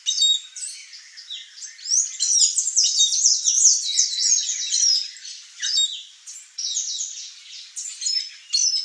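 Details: A Blue Dacnis, one of a pair sharing fruits with bees, gives a busy stream of thin, high chirps and sharp tsip notes, about two a second at an uneven pace.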